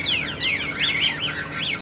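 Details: Brief burst from a Tam Hoàng Chinese hwamei, a bird praised for its good voice: descending then looping whistled notes, clear and loud, ending abruptly.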